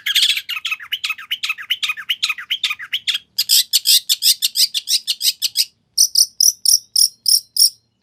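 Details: Long-tailed shrike, used as a lure to make another shrike reply, pouring out dense, scratchy chatter that turns into quick, evenly spaced high chirps and ends in clipped, piercing notes.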